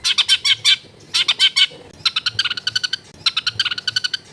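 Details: Loud, harsh long-tailed shrike song filled with imitations, recorded at a house in a crowded area: rapid rattling series of raspy notes, first in short clusters, then longer fast trills of evenly spaced chattering syllables.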